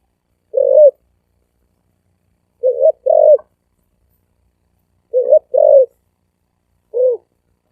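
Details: Spotted dove cooing rapidly in the thổ ồm and thổ vang styles: low, hoarse coo notes given singly and in close pairs at irregular intervals, with silence between bursts.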